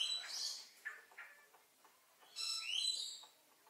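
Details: Purple-naped lory pair, monogamous parrots, quarrelling probably over access to the nest, trying to bite each other: two bursts of harsh, high screeching with short squawks between, the second burst ending in a rising whistled note.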